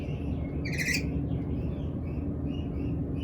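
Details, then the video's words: Black-capped lory begging for food: one loud, rough screech under a second long, followed by faint high chirps over heavy low background rumble. "BURUNG NURI LAGI LAPAR || Kelakuan Burung Nuri Kepala Hitam Kalau Lagi Lapar!!"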